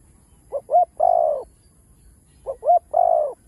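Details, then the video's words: Spotted dove full cooing phrase, played to stimulate other doves to call: two quick short notes then a long falling coo, phrase repeated twice, clean and loud with a faint steady high tone behind. "Tiếng cu gáy Đủ Bài ( Chiêu-Thúc-Gù ) kích bổi nhanh gáy"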